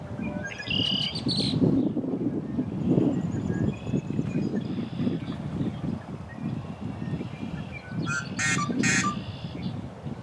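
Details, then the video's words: Yellow-headed blackbird singing a harsh, grating song likened to a rusty door: short scratchy notes near the start, then a loud broadband rasping buzz near the end, over steady low wind rumble with faint thin whistles from other birds. "The yellow-headed blackbird singing like a rusty door"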